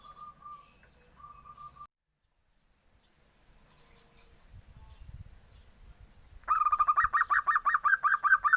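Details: Young zebra dove with a duckling-like voice: soft level notes, a quiet stretch with low rustling, then a sudden loud series of rapid, harsh, pulsed notes.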